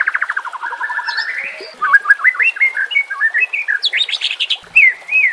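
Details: White-rumped shama singing rough 'nembak kasar' training song: a fast descending rattle of notes opens, followed by quick warbled whistles and loud high slurred phrases with brief gaps.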